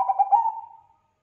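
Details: Zebra dove of the Bangkok type in full song, a voice said to make other zebra doves answer: a quick run of rolling, pulsed low coos melting into one long, steady note that fades away within a second.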